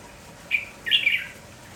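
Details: Red-whiskered bulbul, a lively village bird singing in the morning: a short whistled note followed by a brighter, warbling double phrase, clear and loud over a quiet background.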